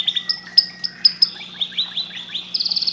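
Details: Canary song in a brief phrase: high thin whistles and quick downslurred chirps repeated about four times a second, closing with a rapid buzzy high trill.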